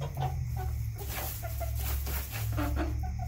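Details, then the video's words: Backyard chickens kept for their eggs cluck in short, mid-pitched bursts, several overlapping calls spread across the clip over a steady low hum. "CHICKENS CLUCKING ASMR"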